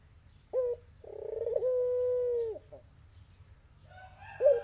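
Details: Melodious irak/tangerine barbary dove, prized as a lure for a silent dove. One full call, a clipped opening note then a long buzzy-rolling coo, and the short note of a second call at the end.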